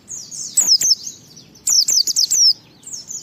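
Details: Pleci, or white-eye, singing a lure song meant to get other white-eyes singing: bright, high descending slurs in two rapid clusters, each of several sharp notes, with short pauses between them.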